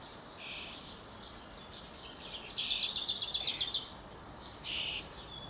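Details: Hungry young common starling, probably close to fledging, begging and being fed: harsh, hissy bursts, one a rapid stuttering series of about ten notes lasting over a second, with shorter rasps before and after over a soft background hiss.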